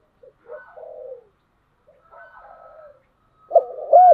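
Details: Spotted dove, giọng đồng song style: soft, muffled cooing murmurs for most of the time, then a sudden loud pair of rounded coos at the end.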